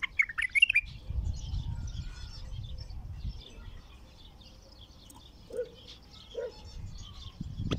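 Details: Newly caught wild bulbul singing for the first time in the Baghdadi 'Alwazi' manner: a short opening run of rapid, bright whistles, then mostly low rumble with a couple of soft, lower-pitched sounds later.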